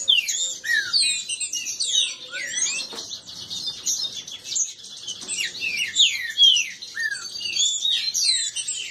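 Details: Kept male green-winged saltators disputing, their many overlapping voices forming a busy tangle of high chirps and downward-slurred whistles, a few clearer falling notes standing out, plus a faint thump near the middle.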